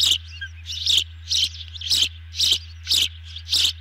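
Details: Nest camera audio of ospreys at dinner time, June 2020 evening. Strong, shrill chirps repeat about twice a second in an even run, over a low mechanical hum.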